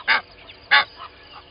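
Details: Egyptian goose pair at Gowrie dam, Djuma Game Reserve, Sabi Sand Wildtuin, South Africa, early morning 05:32; two short loud harsh honks, followed by a couple of softer notes.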